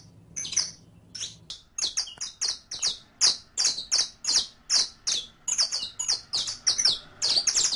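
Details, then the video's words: Saffron finch (canario criollo) in captivity, in a song-teaching recording: loud, rapid series of bright buzzy chirps, each falling in pitch, repeated two or three times a second after a brief hummy start. "ENSEÑA A CANTAR A TU CANARIO CRIOLLO CON ESTE AUDIO DE 15 MINUTOS [SICALIS FLAVEOLA]"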